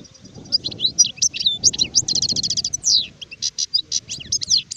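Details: European goldfinch, an adult known as sharif, in 2019, pouring out a continuous bright jumble of twittering chirps, short buzzy rattles and sliding whistles, with faint low-pitched noise in the background.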